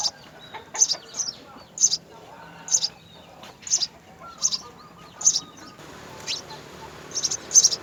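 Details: House sparrow nest where the mother and father feed three young; short, high, sharp chirps repeated roughly every second, rising in pace near the end over a quiet background hiss.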